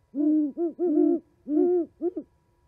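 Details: Owls calling at a Charlo, Montana osprey nest camera on 11 January 2020; loud, close, deep hoots in two overlapping bursts, two birds calling together, ending with a short double note.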